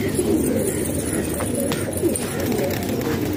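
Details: Several domestic pigeons kept in a house in Pakistan coo softly and continuously, their deep rolling notes blending into one steady hum.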